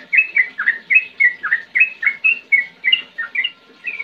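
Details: Sooty-headed bulbul in persistent ngetir ngerol song, meant to draw replies from young or quiet birds: quick series of bright, slurred whistled notes, roughly four each second, steady in pitch, the final second softer.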